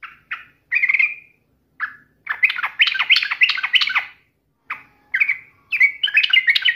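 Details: Challenging song of a yellow-vented bulbul used as a lure against a rival: scattered short chirps give way to a dense, jumbled chattering run, then more clipped notes and a rising flourish.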